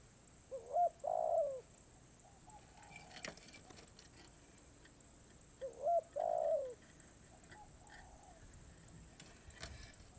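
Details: Spotted dove singing karom pa roi style song, off cue: two fairly faint phrases about five seconds apart, each short coos then a longer low croon, with background hiss and a few knocks.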